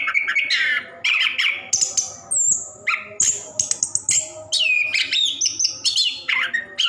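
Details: Caged orange-headed thrush pouring out a rolling song used to draw song from reluctant caged birds; clear whistles, down-slurred notes and buzzy chatter alternate quickly in short phrases.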